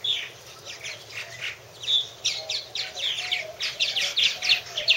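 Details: Purple martins around their nest houses, quieter slurred chirps at first, then a denser burst of overlapping gurgles and sharp chirps from several birds in the second half.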